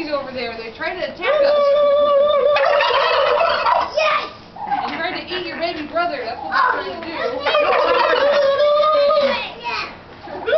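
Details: Captive turkeys at Turkeyville, Michigan, on 9-1-11, gobbling back at a young boy who gobbled at them; bursts of loud, rattling, bubbling gobbles repeat every few seconds, with people talking nearby.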